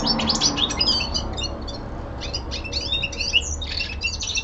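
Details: A young male common linnet kept indoors gives winter descant in scattered bursts of high chirps and short whistled notes, with a pause midway, and faint room hum beneath.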